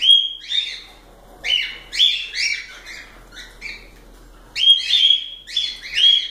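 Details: Several pet cockatiels chattering in a series of short, harsh, whistled chirps and squawks in uneven bursts, some clustered together and some spaced apart.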